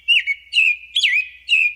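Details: American robin song, heard in early spring as its first-of-season harbinger: four short, clear whistled phrases, each rising then falling, about half a second apart, over a faint steady hum.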